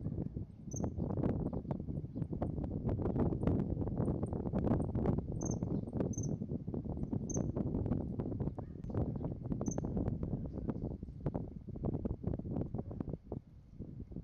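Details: Wild common kingfisher at Moriya City, Ibaraki Prefecture, Japan, giving short, thin, high piping notes spaced irregularly a second or more apart over steady rumbling background noise.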